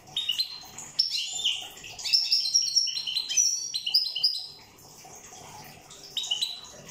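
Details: Song of a European goldfinch from the island of Corsica: lively bursts of high, tinkling twitters and quick trills in rapid succession, fading to a brief quiet spell before resuming.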